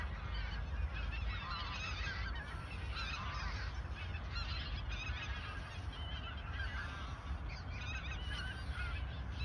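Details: In the Ochsenmoor nature reserve in autumn 2022, shortly before their migration south, numerous geese give an unbroken chorus of overlapping honks that rise and fall in intensity over a low rumble.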